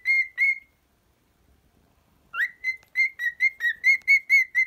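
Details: Cockatiel whistling: two held notes, a gap of more than a second, then a rising swoop followed by a rapid series of clear, steady whistled notes.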